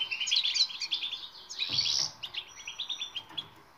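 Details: European goldfinch song in the twittering style called batbata, used as training to make silent goldfinches sing: dense, fast tinkling twitters and buzzy trills in quick bursts, with a brief louder rush of notes midway.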